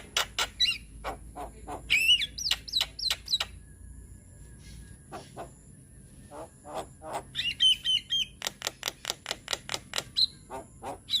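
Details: Javan myna song from a young white-eyed bird, meant to prompt young birds to sing. Rapid rattling clicks run in bursts with short twisting whistles between them; one quieter pause falls mid-phrase.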